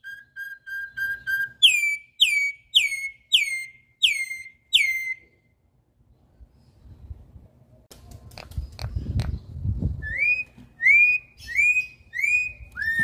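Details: Campo troupial wild-style song: a row of short even notes, then six loud downslurred whistles, a pause filled with low noise and clatter, and finally a run of rising whistles.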